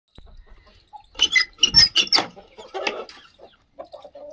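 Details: Aseel chickens on a free-range desi poultry farm in India with a low-cost shed: a burst of loud, harsh squawks and cackles lasting about a second, then softer clucks and quiet murmuring.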